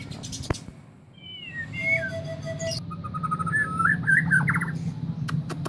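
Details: A White-rumped shama, described as easily agitated, sings a varied run of clear whistles, some steady and some sliding or warbled, over a steady low hum and a few sharp clicks.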